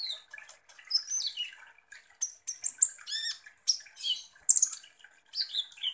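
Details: High-pitched sunbird song played as a provoking lure for konin birds: varied thin whistles and downward slurs mixed with rasping, crackling twitters in short irregular phrases.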